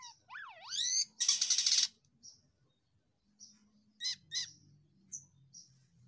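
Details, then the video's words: A myna (jalak kapas) gives a loud wavering whistle, then a harsh raspy burst, followed by scattered sharp clicks and short squeaky notes, over a low background hum. "SELALU MEJENG DENGAN KICAUANYA,JALAK KAPAS"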